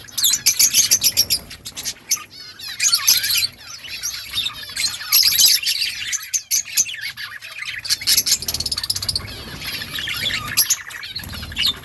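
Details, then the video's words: Many budgerigars chirping in an outdoor colony: loud bursts of rapid, buzzy warbling and sharp squawks, thinning to softer chatter and then swelling again, continuous high-pitched flock noise. "Parakeet sounds in outdoor colony Budgies chirping sounds"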